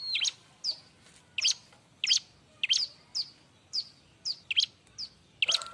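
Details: Rhythmic, loud Bar-winged prinia song: high rising-and-falling chirps about every half second, steady and busy throughout, over light background hiss.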